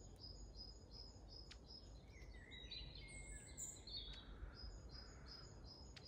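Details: Long-tailed tits calling in Grunewald, 20 March 2021: rapid runs of tiny high ticking notes, about three per second, mixed with higher thin slurred calls and a lower drawn-out whistle, against distant background hum.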